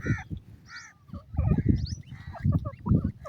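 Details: Iranian partridge hen with chicks: short harmonic nasal calls and thin higher chirps mixed together, with steady low rumbling in the background.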